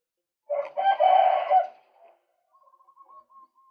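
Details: Male white-breasted waterhen in a luring recording gives a loud, harsh, grating call lasting about a second, followed by a faint string of soft, quick piping notes.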